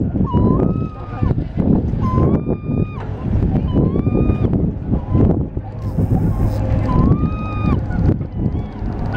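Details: Two male gulls, described as Herring Gulls or Western Gull hybrids, calling back and forth at the Chittenden Locks in Seattle; loud nasal, rising-then-level wailing calls repeated every second or two over busy outdoor rumble.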